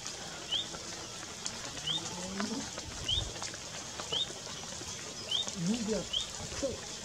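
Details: A nesting striped pipit that was also ringed gives short, thin, rising high notes about once a second, with faint low murmuring sounds underneath.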